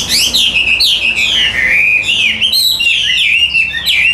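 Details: Captive Hwamei with a fine voice singing eagerly: a continuous run of loud, rich whistled phrases that swoop up and down in quick slurs, with no pauses between them.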